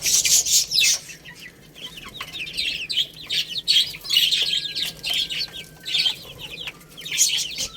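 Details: Chicks feeding and playing, a steady stream of thin, high peeps sliding downward, several birds calling at once, plus loud clicking pecks and scratching noises.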